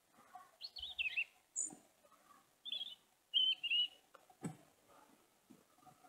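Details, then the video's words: European robin singing, a bird heard all year; a series of short varied warbled phrases, high and tumbling, separated by brief pauses, with a sharp click partway through and faint background noise. "Kızılgerdanın ötüşü /Nar bülbülü ötüşü ve alt ötüşü | European Robin song and subsong"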